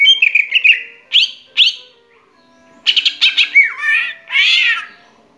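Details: Greater green leafbird song used as a lure to make a quiet bird start singing: bright whistled trills and sharp chirps, slurred downward notes and a buzzy rising phrase near the end, loud and clear.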